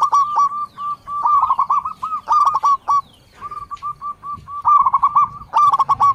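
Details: Local zebra dove singing as lure and trigger song, with short staccato coos repeated between dense rolling trills. The pattern recurs several times in quick succession.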